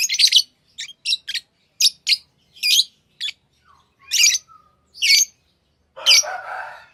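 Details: Shrill lovebird chirps come as short, sharp, clipped notes in irregular runs. A harsher, noisy squawk closes the sequence.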